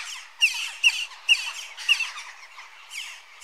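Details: Western jackdaw uttering four loud, sharp, metallic chak calls at about half-second spacing, followed by quieter chatter from other birds.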